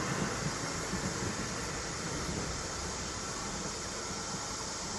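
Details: Steady broadband outdoor noise, like rushing water or distant traffic, with no animal calls heard.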